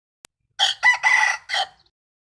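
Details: Single crow from a rooster recorded 12/04/2022, harsh and broken into four bursts: a short opener, a louder second part, a sustained wavering middle and a clipped final note, on a quiet background.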